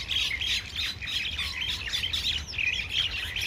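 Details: A gang of common mynas fighting at Ewa Beach: dense, harsh squawks and chattering notes tumbling over one another without pause, loud and continuous throughout.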